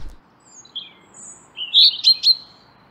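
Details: Common chaffinch calls in spring in the northern hemisphere, showing its two most common call types: a couple of faint high notes, then three short, bright, sharp calls in quick succession against a quiet background.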